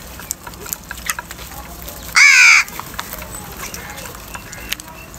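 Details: Crow fighting for food in the morning: a single loud, harsh, raspy caw lasting under half a second, rising slightly, standing out against a quiet background with scattered faint clicks.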